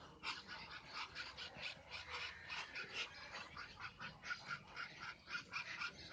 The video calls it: Muscovy Duck Hissing Sound